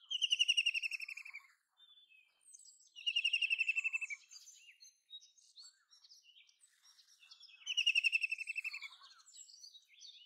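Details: White-throated kingfisher (Halcyon smyrnensis) giving three loud, shrill, descending whinnying trills, each about a second and a half long, with faint chirps between.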